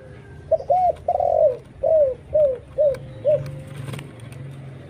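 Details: Spotted dove calling as a lure for other doves. A series of six arched, falling coos, one longer note among them, over a steady low rumble, with a few faint clicks near the end.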